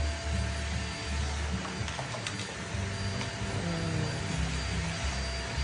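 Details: A steady mechanical hum and broad noise with faint music-like tones, and no clear animal call.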